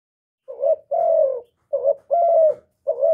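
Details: Spotted dove cooing, played to stimulate decoy birds, recorded close without background noise: low mellow coos alternating a short wavering note with a longer, steady, slightly falling one, five notes in about three seconds.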